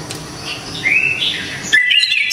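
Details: Orange-headed thrush gives a smooth, rising whistled note, followed by a sudden sharp burst of quick, high sweeping notes.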